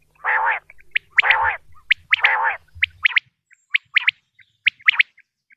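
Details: Common quail, male and female calls from Pakistan, played by hunters to lure quail: three harsh, raspy bursts in the first three seconds, then sharp, short, high notes in quick clusters of two or three, with a faint low hum early on.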